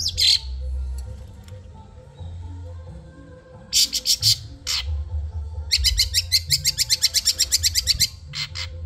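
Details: Long-tailed shrike from Madura, a caged bird in training: harsh chattering calls, then a long fast run of clipped, scratchy notes at about two per second, with a steady low hum underneath.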